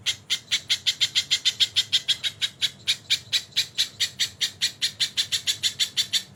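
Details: Training recording of a crested jay mixed with kingfisher call fills: rapid rasping chatter, roughly five harsh notes a second, delivered in a steady unbroken stream.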